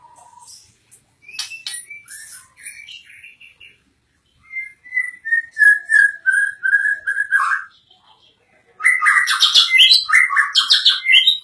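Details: White-rumped shama in full song, a varied run of clear whistles, a series of sliding slurred notes, then a burst of rapid, rich chattering phrases.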